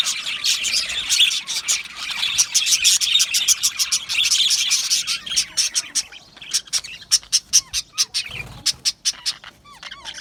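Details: Australian budgies chirping and singing happily in a colony aviary: dense chattering warble at first, thinning into a string of separate sharp, high chirps repeated roughly every half second, with a soft low bump near the end.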